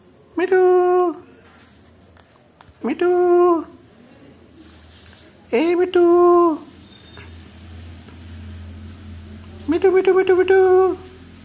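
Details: Pet Alexandrine parakeet talking indoors: four separate nasal, harmonic word-like utterances about a second long, spaced roughly three seconds apart, with quiet room hum between them.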